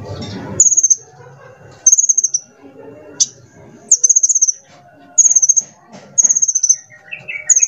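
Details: High, thin, fast-ticking trills from a sunbird used as a lure to make other birds sing, repeated about every second, each burst dropping slightly in pitch, with faint softer chirps between.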